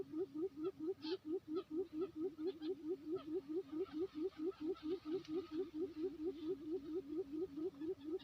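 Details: Quail lure sound from Lombok island, West Nusa Tenggara: low hollow hooting notes repeated steadily about twice a second, every note alike, running without a break over faint background noise.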